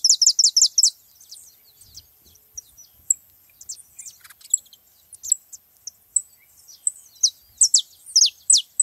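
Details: Flock of wild saffron finches with quick bursts of piercing descending chirps at the start and end, scattered thin high notes between.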